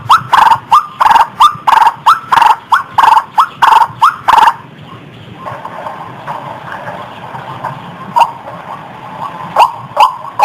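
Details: White-breasted waterhen lure call: a burst of loud, clipped, slightly rising notes about twice a second for four seconds, then a hushed, noisy stretch with faint scattered notes and a few sharp clicks.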